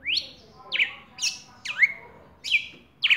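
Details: Red-cowled cardinal singing persistently to call a female, recorded live in Brazil: loud, slurred whistled phrases sweeping downward, spaced about half a second apart.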